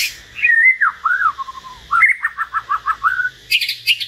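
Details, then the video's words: A common hill myna singing solo alongside a white-rumped shama, giving clear slurred whistles that dip and rise, then a quick run of about eight short piping notes ending in a harsh buzzy burst. "Chim nhồng và choè lửa hót solo"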